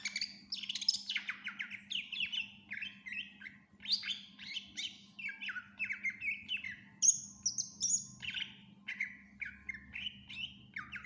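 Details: Greater green leafbird in long, vigorous song full of fill-in phrases: continuous varied stream of chirps, falling whistles, squeaks and brief trills, pouring out several notes a second without pause, above a steady low hum.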